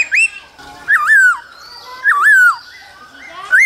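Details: Male laughingthrush song with the female's calls in the cold season, used to excite young birds; loud looping whistled phrases that rise, dip and fall, repeated about every second.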